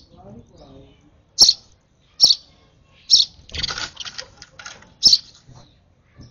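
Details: Sparrow chick begging while being hand-fed, a few high sharp chirps spaced irregularly, broken by a burst of broadband rustling and soft human voice in the middle.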